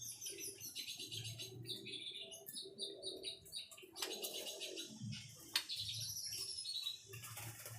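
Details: ['White-rumped shama singing dense, rapid trills and high whistles that change every second or so, with a few loud broadband bursts and a low hum in the background.']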